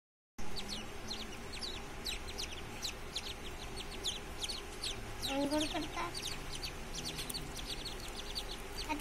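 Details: Whistling duck ducklings giving a rapid stream of thin, high, downward-sliding peeps from several young birds, with a steady background rumble and a few lower notes.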